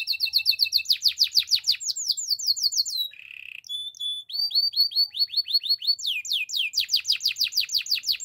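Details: Spanish Timbrado canary song of fast, even, metallic trills, then a short buzzy burst and a steady whistled note, followed by quick repeated swooping chips, clean and close.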